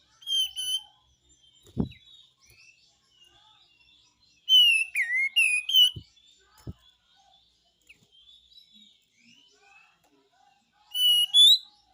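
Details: Besetan-style song of a pied triller: spaced slurred whistles and a cluster of falling notes, with a few sharp clicks in between.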